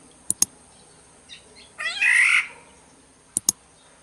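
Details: Black-naped oriole of the Sumbawa type: a few soft notes lead into one loud, rasping, nasal squawk, with pairs of sharp clicks heard before and after it.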